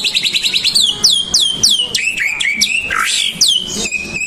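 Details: White-rumped shama song used to provoke other birds into singing: a fast burst of trilled notes, then a run of sharp, downslurred whistles and varied chips, loud and busy with some overlapping sounds.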